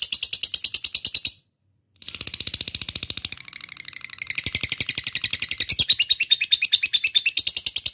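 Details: Fighter-type lovebird (labet in Java) in ngekek singing, a recording meant to prompt other lovebirds to chatter long: rapid high grating pulses, a brief silent break early on, then the chatter resumes, growing louder and denser toward the end.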